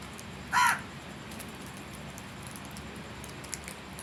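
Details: A single short, harsh crow caw rings out near the start, followed by quiet background hiss with faint ticking.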